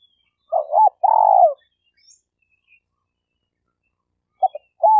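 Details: Spotted dove (tekukur) used as a denak lure bird for trapping, Malaysia: an arched coo and a long burred coo, quiet gap with faint chirps, then short stuttered notes and another arched coo.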